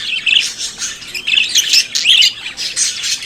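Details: Budgerigar, a pet bird native to Australia, singing and chattering: dense warbling bursts of high chirps and trills, with loud phrases around half a second, one and a half and two seconds, and barely a pause between them.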